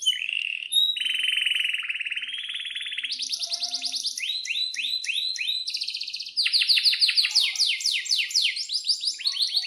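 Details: Canary in breeding condition singing a long rolling song, played as a lure to make other canaries sing: very high, steady trills and fast repeated falling notes, with shifts between sharp chirps and buzzy rolls.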